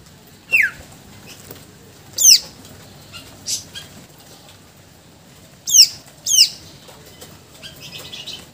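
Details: Greater green leafbird (cucak ijo) displaying its 'isian' song repertoire: scattered high, downward-sweeping whistled notes, one lower and harsher, plus a few faint buzzy bursts, separated by pauses of one to three seconds.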